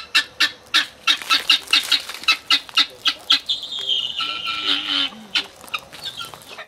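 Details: A flock of Helmeted Guineafowl in sub-Saharan Africa giving harsh, grating cackles in a rapid, rhythmic series of about three per second, with overlapping voices and a few higher nasal notes.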